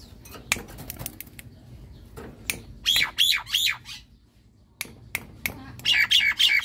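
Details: White-eyed Javan myna singing vigorously in a cage while bathing: splashy clicks and taps, then bursts of harsh, wavering squawky notes, once mid-clip and again near the end.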